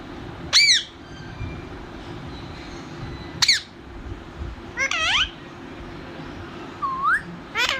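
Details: Pet parrot, described as talking, lets out sharp, loud squawks that arch up then down, followed by a rising warbled phrase and a short upward slur, separated by quiet gaps, with a low steady hum behind.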